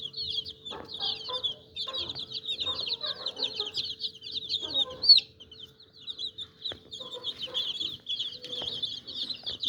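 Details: Many young chicks give rapid, high-pitched peeps that blend into a busy unbroken chatter, with occasional lower clucking notes and a faint constant hum.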